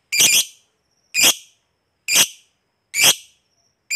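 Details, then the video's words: Lovebird, a fighter-type bird kept by hobbyists, calling to provoke other lovebirds to answer: loud harsh broadband screeches, each about half a second, repeated roughly once a second in a steady series, with silence between. "Suara Burung Lovebird Ngekek Panjang Paling CEPAT Naikkan Emosi, Baru Dengar SEBENTAR Langsung NYAUT"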